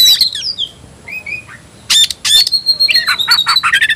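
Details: An Oriental magpie-robin stirred up to fight, in ngobra style: a brief scratchy phrase, two soft whistled notes after a pause, then loud harsh rasps and a fast stuttering series of chips over a held high whistle.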